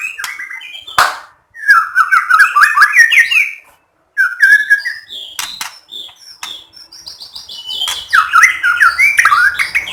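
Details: White-rumped shama singing to set off other shamas: bursts of rapid, warbling whistled phrases separated by short silences, with crisp clicking notes and a final rich, tumbling phrase.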